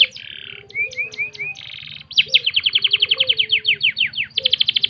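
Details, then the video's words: Canary (kenari) tutor song for training birds, from a contest-ready singer. It opens with high buzzy notes, then four rising whistled slurs, then a fast run of repeated descending notes ending in a rapid buzzy trill. A faint low hum runs underneath. "full masteran kenari"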